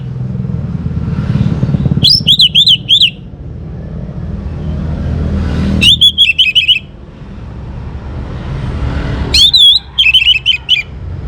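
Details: Song of a young Orange-headed Thrush used to encourage other birds to sing: three loud phrases of rapid, warbling whistled notes, roughly every three and a half seconds, against a steady engine rumble.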